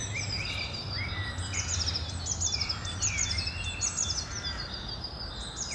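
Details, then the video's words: Great tit singing, 20 April 2021: quick chains of high repeated notes in rhythmic phrases over a low rumbling noise, with a few other birds' slurred whistles lower down. "Śpiew sikorki bogatki"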